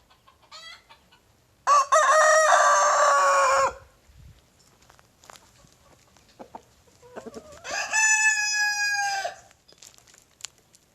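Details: Backyard roosters in the morning, a young big brown rooster and a Silkie rooster that chases him when he crows: two loud crows about six seconds apart, each a strained, held tone, with faint clucks and rustling between.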